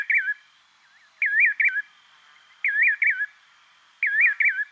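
A nightjar gives clear, wavering whistled notes in quick pairs or triplets, each bout repeated roughly every one and a half seconds over a quiet background.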